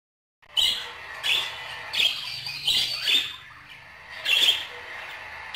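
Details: Budgerigars chattering: bursts of harsh, scratchy squawks and chirps, roughly forty a minute, separated by softer warbling between bursts.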